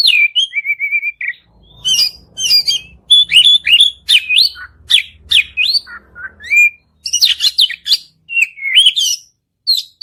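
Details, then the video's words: Oriental magpie-robin giving lure song meant to set a quiet bird singing; a steady whistled trill opens a busy run of sharp chips, downslurred whistles and scratchy notes with brief gaps. "kacer Gacor Panjang || kacer macet bunyi pasti nyaut"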